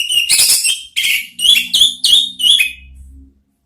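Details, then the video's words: Orange-headed thrush (anis merah) singing, used as a lure and therapy track for kept birds: loud whistled, slurred phrases around mid-high pitch, delivered in a burst of five or six quick notes over about three seconds. "Siulan ANIS MERAH ampuh memancing BUNYI NGEPLONG ¦TERAPI PANCINGAN ¦ KICAUAN NGERIWIK"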